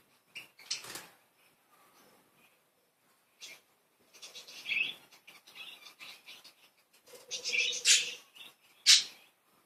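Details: Playful budgies giving scattered sharp chirps and squeaky warbles, quiet at first, then a louder busy run of chatter ending in a bright, piercing squeak.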